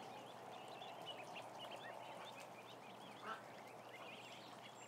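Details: Ducklings in a huge group of about a thousand: a mass of high, wavering peeps, with one louder brief call standing out midway, all over a steady hum.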